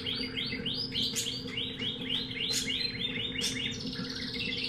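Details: Singing canary from a pet shop, type unknown: a rolling tour of identical rising whistled notes repeated about five times per second, broken by sharp clicks, then shifting to a faster trill, with a low steady hum underneath.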